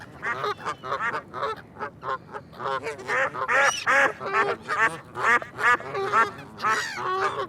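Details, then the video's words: Ducks quacking in a busy, overlapping chorus, with harsh nasal quacks coming about twice a second and no pause. "เสียงเป็ดร้อง ก้าบ ก้าบ Duck Sound (Quack Quack)"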